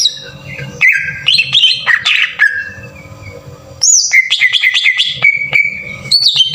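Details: 'Tembakan kasar' green leafbird lure meant to pump up a bird's urge to sing: bright whistled phrases with clicking accents, a pause, then a high note dropping into a string of level repeated whistles.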